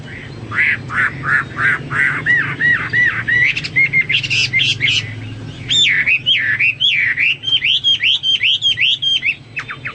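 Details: Hwamei in full, vigorous song as tutoring material for pet birds: a quick run of repeated rising notes, a brief buzzy section, then rolling looped whistles about three per second over a faint low hum.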